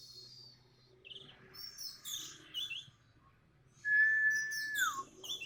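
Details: Orange-headed thrush prompted to sing by a lure: high scratchy, chattering phrases give way to a clear, level whistle that ends in a quick downward slide, then more high notes.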